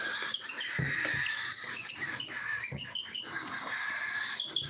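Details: Cockatiels at feeding time, a group calling at once: dense, overlapping shrill chirps and harsh screeches that run steadily from start to end, with soft low thumps underneath.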